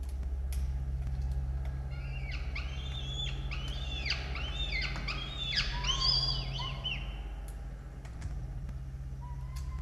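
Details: Two adult peregrine falcons and two chicks at a nest camera in Orange, Australia, 18 October 2022, during feeding: a rapid chorus of overlapping, arched, screechy calls building for several seconds, then fading to single soft notes, over low hum.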